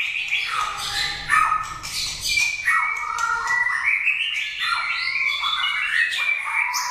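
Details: A white-rumped shama kept as a competition bird pours out loud, sweeping whistled glides and rising phrases, some harsh squawky notes at the start, then smoother looping whistles.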